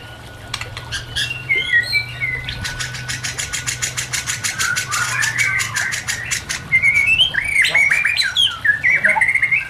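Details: White-rumped shama song for training and luring other shamas, mixed with nature sounds: a fast rattling series of clicks, then varied whistled and chattering phrases, over a low steady hum.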